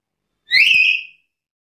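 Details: One strong, shrill whistle from a black-capped lory, rising quickly and then holding level for about half a second, heard alone against quiet.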